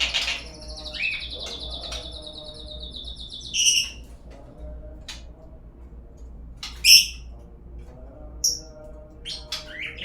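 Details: Singing lure of a white-rumped shama: a long sustained high whistle opening the phrase, then sparse sharp chips and short bright notes separated by quiet gaps.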